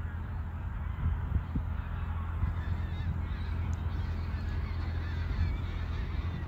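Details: Geese calling in flight during migration at Koedijk, Langedijk, in the Netherlands, on an evening in late August 2019. Scattered honks are half-buried under a loud constant low hum and occasional thumps.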